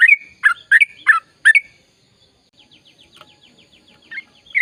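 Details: Sooty-headed bulbul singing energetically, used to encourage silent birds into song: a burst of loud, chirpy bubbling notes, then a quiet gap with a soft fast trill of ticking notes, ending with renewed loud chirps.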